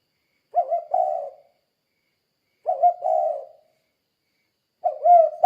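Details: Spotted dove in full voice, a "kuk 2" style call used as a lure to make other doves answer: three short coo phrases, each a hooting double note about a second long, with clean silence between.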